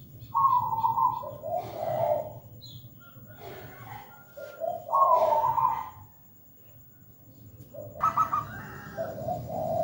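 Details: Local zebra dove cooing persistently, several rolling, trilled coo phrases that rise and fall, separated by short pauses, with faint high chirps of other birds and a thin steady tone in the background.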